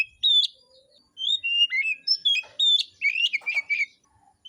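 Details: Contest-singing oriental magpie-robin pours out rich whistled phrases, quick upslurred and downslurred notes mixed with buzzy chips, in a dense run that steadies into repeated whistles toward the end.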